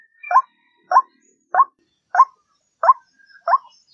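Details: White-breasted waterhen, recorded as a lure to draw in waterhens: six short, hoarse, rising notes, one about every 0.6 seconds, in a steady monotonous series against a quiet background.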